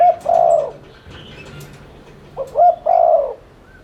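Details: Spotted dove coos played as a lure to get birds cooing: the end of one long burry coo, a quiet gap, then a phrase of two rising hoots and a drawn-out coo.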